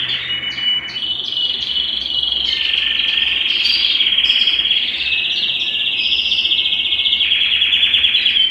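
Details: Belgian canary singing to warm up males and bring females into breeding condition; a long, unbroken rolling trill holds a steady high pitch for over eight seconds, topped by short sharp notes higher up.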